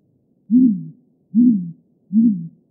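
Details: Great grey owl song: three deep, hollow hoots, each about half a second long, slightly rising then falling, spaced roughly 0.8 seconds apart, with a clean, silent background.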